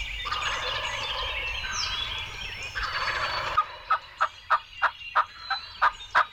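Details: Young wild turkey gobblers, a trio coming into decoys during spring turkey season in Illinois, 2020: a loud rolling gobble over dense background birdsong, followed by a quick series of about nine sharp clucking notes.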